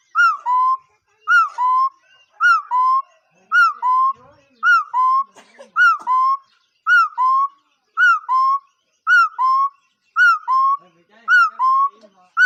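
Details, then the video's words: Long sequence of a bird's paired whistles, a brief arched note then a lower sustained one. About eleven phrases repeat at a very regular rhythm of roughly one per second, with faint murmuring behind. "เสียงนกขอ.,suab noog yij liab quaj zoo heev"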